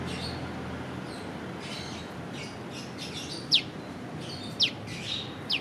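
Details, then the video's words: Piw piw piw call of a prenjak lumut prinia, filmed on a Leica V-Lux: after a quiet stretch of distant bird chirps, three clear high descending piw notes ring out in quick succession near the end. "Burung prenjak lumut piw piw piw"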